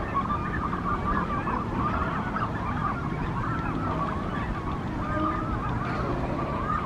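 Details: Brandt's cormorant nesting colony, Monterey, in the morning: a dense, unbroken chorus of wavering, modulated calls from many birds layered over a deep constant rumble.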